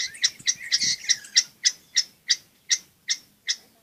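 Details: Long-tailed shrike, recorded for luring silent shrikes into song and teaching young ones. Sharp two-part notes sound about every third of a second at first, then slow to steady evenly spaced calls over faint background hiss.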